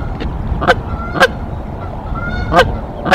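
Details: A Canada goose defending its nest at Decorah against an intruding goose: four short, harsh honks spaced irregularly across a few seconds, with softer nasal tones between them and a steady low background rumble.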